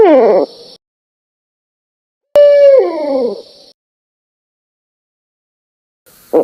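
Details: Separate barred owl calls broken by silent gaps. There is the tail of one call, then a clear steady hoot that drops into a falling slur, and a faint start of another.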